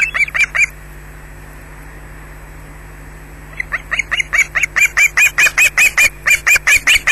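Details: Osprey at a nest in Scotland squawking under attack: three shrill squawks, a quiet gap of some three seconds, then a long, loud, evenly paced series of sharp high calls, recorded by a nest camera.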